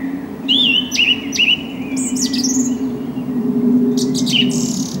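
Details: Song thrush singing, recorded 6 April 2010 on a Canon HF200 camcorder: bright whistled notes and short rising slurs repeated in quick phrases, with sharp high chirps, over a steady low background hum.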